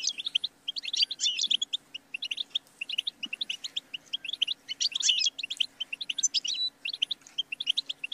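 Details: Sustained goldfinch song of quick twittering chirps and rattling trills, with dense tinkling bursts at intervals and a few short whistled notes; a faint low hum in the background.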